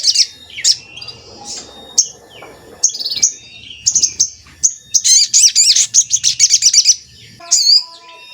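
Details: Crimson sunbird (sogon) heard on a recording used to trap birds and provoke them to sing. Scattered thin whistled chirps build into a dense, fast high twitter, then a last sharp note.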